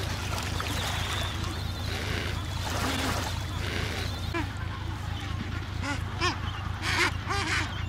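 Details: Breeding colony of Adélie penguins on Paulet Island, Antarctica, recorded 1 February 2019, where about 150,000 pairs nest: a dense chorus of nasal, chattering calls from many birds, with a constant deep rumble underneath.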